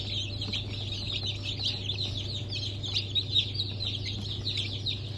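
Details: Fresh hatch of Brahma, Sussex and Maran chicks from 1 April 2024, many birds peeping at once in a constant shrill chorus, with an even low mechanical drone underneath.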